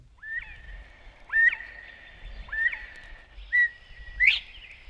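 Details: A Northern Bobwhite from a 1961 eastern/central North American bird-song guide gives clear, rising whistles about once a second, several sharply upslurred, over a faint low hum.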